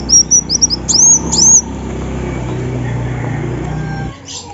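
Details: {'caption': 'Female Olive-backed sunbird: a quick series of high, thin, rising chirps, the last two longer and more slurred, followed by several seconds of steady low background hum.'}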